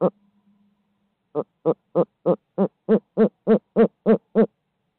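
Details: Loud rhythmic hooting from a barred owl in Midtown Tulsa on a live feed: one opening hoot, a pause, then eleven short hoots repeated steadily at roughly three per second, growing slightly stronger.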